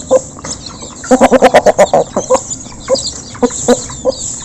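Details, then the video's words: Local chickens eating together as a flock, recorded up close: a rapid run of about nine sharp clucks, then spaced single clucks over steady background feeding noise. "Local Chicken Backsound While Eating | Efek Suara Gerombolan Ayam Saat Dikasih Makan"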